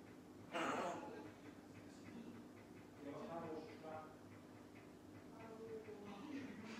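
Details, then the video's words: A pet grey parrot, Kevin, gives a sharp opening squawk, then speaks newly learned voice-like phrases in Russian, over low room hum. "Жако Говорит всё Новые и Новые фразы! Parrot tald a new phrases!!!"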